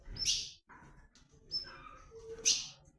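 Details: Ultramarine grosbeak of the 'comanche' song style, calling and singing as the breeding season arrives; two loud, harsh, buzzy chip bursts open and close the clip, with faint short whistled notes at varied pitches between them.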